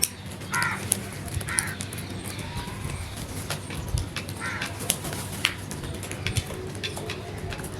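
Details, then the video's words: Crows calling: a few short, harsh caws, about three in the first four seconds, over steady low rumbling background noise and scattered clicks. "The Smart Crows Genuine and Natural Sounds loudly"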